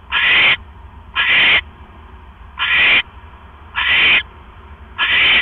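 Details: Owl filmed on a live cam at 7:24 PM on October 18, 2015, while a rat is brought to the female, who gulps it down and settles to sleep. Five coarse, breathy screeches of about half a second recur at slightly uneven intervals.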